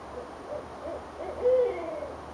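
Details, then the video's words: Owls heard from a porch in Richmond, Virginia, on January 8, 2012, trading calls: a quick string of muffled hoots, then one strong, sustained hoot with a drooping tail. "Owls Calling"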